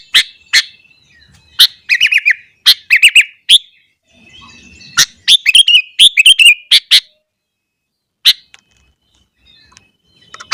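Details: Agitated morning singing from a sooty-headed bulbul, intended to make other bulbuls excited: scattered sharp chips and dense bursts of rippling, bubbly notes, with a quiet gap in the middle.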